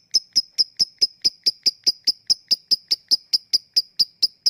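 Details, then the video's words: Lovebird giving the ticking call known locally as ngetik, used as a lure to get lazy lovebirds to sing: sharp, high clicks repeated steadily about five times a second, evenly spaced, with no other sounds. "Ngetik lanjut ngekek@Pancingan untuk Lovebird yang malas bunyi"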